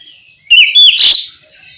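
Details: Oriental magpie-robin giving a ngeplong song phrase, used to prompt other magpie-robins to sing: a brief, loud, clear whistle sliding up, then a harsh, buzzy, scratchy burst, all within about three quarters of a second.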